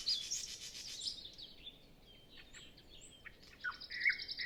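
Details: Nightingale before sunrise on a calm morning, other birds still quiet: a buzzy trill fades into soft scattered whistles and clicks, then a loud pure whistled note with chips returns.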